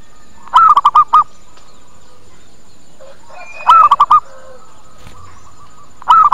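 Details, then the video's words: Zebra dove calling as a lure to attract birds: short rolling phrases of five rapid, evenly spaced cooing notes, repeated roughly every three seconds, with faint whistles from other birds in between. "Suara PIKAT PERKUTUT Cepat Pada Datang dan Nyaut"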